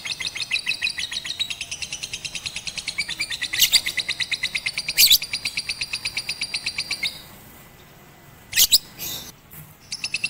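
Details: Rooftop lovebird (Batman) in a first training session with master song, 18 April 2021; fast, even high chirping for about seven seconds, then near silence with a few loud scratchy bursts.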